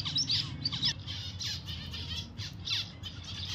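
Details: Pet zebra finch giving short nasal chirps in quick irregular clusters, some overlapping, above a constant low hum.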